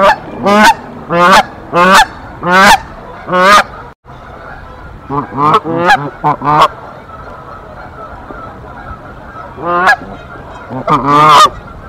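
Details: Mother and father Canada goose defending their nest against an intruding female in Decorah on 1 April 2024. A fast volley of loud honks, a pause, then more bursts of quick honks.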